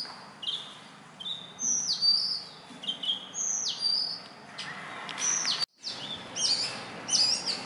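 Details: Bush robin, the Indian robin, singing from branch or wire at dawn or dusk near houses; high whistled notes sliding downward and short twittery phrases, with a brief silent break near the end.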